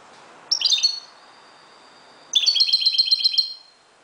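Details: Moroccan European goldfinch singing at dawn, a brief twittering phrase then a thin held note, followed by a longer rapid, rhythmic tinkling trill of repeated bright notes.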